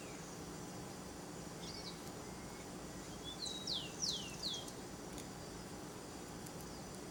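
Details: Wild saffron toucanet feeding on banana in natural behaviour; three high, squeaky notes in quick succession, each sliding steeply downward, over a steady hiss of forest background noise.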